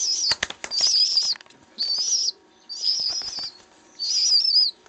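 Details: Rescued baby pigeon with a hookbill demanding to be fed: high, thin, wavering squeals come in five bursts of about half a second each, separated by short gaps, with soft flapping and tapping clicks in between.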